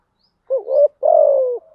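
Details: Spotted dove lure call, in the thúc gù and gáy gọi styles, used to draw wild doves in quickly: one short rising coo, then a longer, steady, gently falling coo, low and mellow, with near silence around it.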